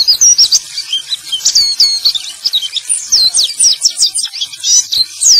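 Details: Male white-eye singing, played to stimulate silent birds to sing: high, scratchy twittering phrases of quick rising and falling whistles, with short gaps between bursts.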